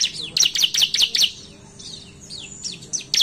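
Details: A Bar-winged Prinia, used as a lure call, sings in quick bursts of sharp, high chirps, broken by a thin level whistle before the rapid notes return.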